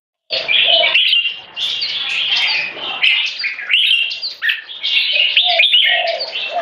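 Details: Two caged competition Red-whiskered Bulbuls, aged 3.5 and 7 years, singing against each other to dominate territory in butir frequency singing with gaya display; dense overlapping bright warbled and chirped phrases, continuous, with some lower notes mixed in.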